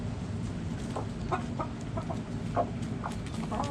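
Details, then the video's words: Hens in a backyard flock give short, soft clucks in an irregular series, several close together, over constant low background hum. "Backyard Chickens Relaxing Sounds Noises Video Hens Clucking Roosters Crowing!"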